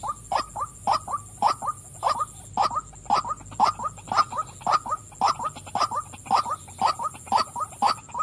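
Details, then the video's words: Calling female white-breasted waterhen: a long, very regular run of about sixteen rough, croaking 'wak' notes, roughly two per second, with a steady shrill background drone throughout. "burung wak wak betina suka memanggil"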